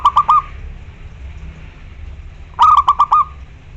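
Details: Zebra dove, a loud local bird calling out to a rival: one stuttered cooing phrase ends at the start, then after a two-second pause a new burst of five or six quick, rolling coo notes follows, with faint background hum.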